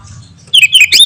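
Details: Greater green leafbird singing energetically, meant to prompt other birds to respond: a brief burst of bright, slurred whistles wavering up and down, ending in a harsh, squeaky flourish.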